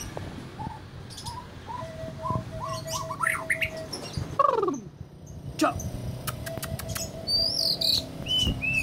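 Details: White-rumped shama, described as easily agitated, singing varied whistled phrases: short rising notes, a descending slurred swoop near the middle, and later high thin rising whistles, with a steady low hum and clicks behind.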